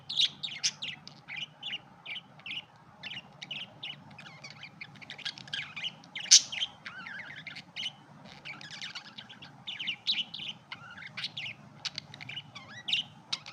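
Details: Red-eyed budgerigars chattering: a busy stream of short, high, scratchy chirps and warbled twitters, closely spaced and irregular, with one sharper squeak partway through, over a faint low hum.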